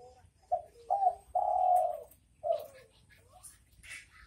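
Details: Spotted dove 'bekur bekur' call: two quick low coos rising into a long steady mellow note, then a final shorter coo, with a faint high chirp near the end.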